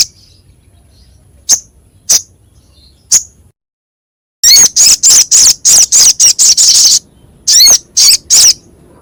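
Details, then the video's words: Crescent-chested babbler, masteran for songbird training with a rough, sharp voice: three spaced faint chips, a moment of silence, then a loud rapid burst of raspy high notes. "Masteran Sogok Ontong suara kasar pedas"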